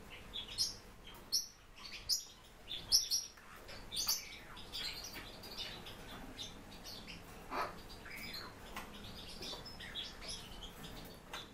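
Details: Captive warbling white-eye: loud, bright, high chirps in quick groups during the first seconds, then softer scattered twitters, with a steady low hum underneath.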